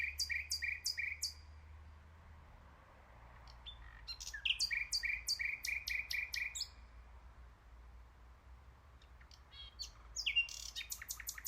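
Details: Common nightingale delivering bursts of crisp, rapidly repeated notes with sharp clicks, separated by short pauses, over a steady low hum.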